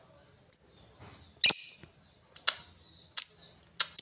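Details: Lovebird giving a handful of isolated shrill, slightly descending chips separated by silence.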